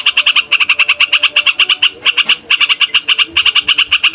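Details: Yellow-vented bulbul in full, noisy song for bird trapping: crisp chattering notes repeated rapidly in groups separated by tiny pauses.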